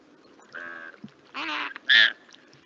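Flamingo giving three short, nasal, goose-like honks, the last the loudest and most grating, spaced about half a second apart.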